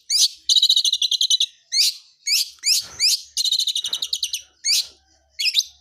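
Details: Cendet blangkon long-tailed shrike, a wild bird, singing in full-fill style: rapid rattling trills alternate with single harsh, slurred high notes separated by brief pauses.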